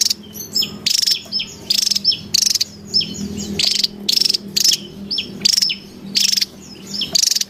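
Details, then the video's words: Wild Javan tesia, noisy, used as a lure and master sound for trainee birds: a steady run of sharp, high, pulsed buzzy bursts alternating with brief downslurred whistles, about two bursts per second. "SUARA PIKAT DAN MASTERAN TESIA JAWA RIBUT DI ALAM LIAR"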